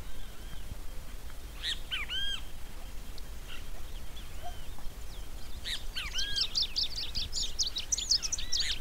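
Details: Long-tailed reed finch (Donacospiza albifrons) singing vigorously: a few short bursts of arched, chirpy notes, then a fast, jumbled, high twittering phrase, over a steady low rumble of wind.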